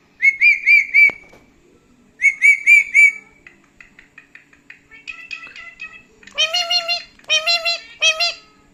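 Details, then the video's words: Feisty pet parrot mixing talk with angry screaming indoors: three loud whistled pulsing notes, a pause, three more, a stretch of quick chattering notes, then harsh, broad, repeated scream-like bursts in rapid groups. "The Feisty Parrot: Combining Talking and Angry Screaming"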